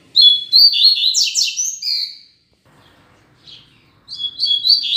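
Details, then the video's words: Rusty-collared seedeater (coleiro), a pair of caged birds used as tutor birds for teaching song: bright, fast, high warbled phrases with rapid chirps and slurred notes, a pause, then another burst of song. "Coleiro Professor Aprendizado"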